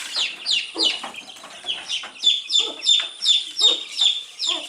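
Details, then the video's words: Baby chicks eating earthworms, giving steady high chirps about three per second, each a short bright peep with a pecking click beneath, several chicks overlapping. "Cute Baby Chicks eating earthworms and chirping sound"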